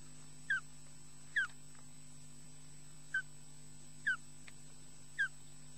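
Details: Osprey at a nest in Loch Garten, Scotland, as the female returns to take over from the male; sharp, high, slightly downslurred yelps spaced about one second apart over a steady electrical hum.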